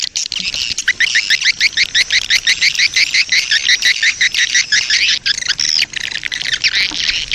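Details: Swiftlets in a breeding colony, a sound used as a lure: a rapid, fairly even series of short, bright chirps, nearly three per second, forming a continuous chattering stream for about seven seconds.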